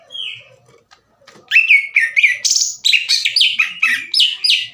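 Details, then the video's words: Loud, aggressive song of a kept greater green leafbird daring another leafbird to fight. A lone falling whistle, a quiet gap, then a dense run of harsh rasping shots and quick downslurred whistles repeated several times a second. "CUCAK IJO GACOR NGEPLONG DAN TEMBAKAN KASAR NGAJAK IJO LAIN TARUNG"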